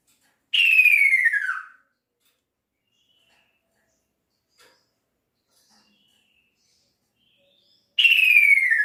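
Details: Two loud downward-sliding whistled notes from a male kaso-kaso bird calling its female, spaced about seven seconds apart with quiet between them.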